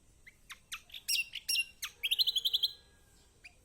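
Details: Lemon-bellied white-eye song meant to provoke a quiet bird into singing: several sharp high chirps and downslurred notes, then a steady rapid trill of about eight notes, and one last soft chirp.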